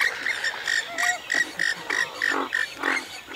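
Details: Western swamphen repeating short, clipped nasal notes with a whistled edge, about three per second, with one lower sliding tone partway through and a coarser grunt near the end.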